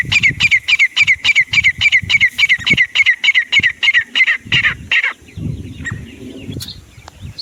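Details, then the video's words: Grey francolin, called desi teetar, giving a fast, very even run of about sixteen sharp repeated notes over five seconds, then falling silent amid quiet background noise. "Desi teetar // sounds teetar awaaz"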